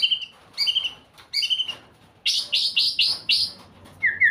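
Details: White-rumped shama singing: two paired bright chirped notes, then a quick run of five loud descending chirps and a final down-slurred whistle, with a faint low hum beneath.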